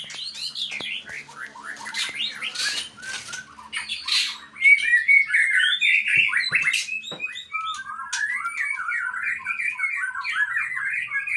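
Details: White-rumped shama of the Aceh type, called a fighter, singing a rich varied song of quick whistled and slurred phrases, rising and falling, with scratchy notes between, louder from the middle onward; a faint low hum underneath.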